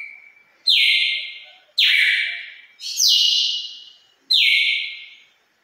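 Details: Brazilian red-cowled cardinal from Pernambuco stock giving its wild five-note song with a 'turril' ending: four strong whistled notes sliding down in pitch, spaced roughly a second apart, clean and without other sounds.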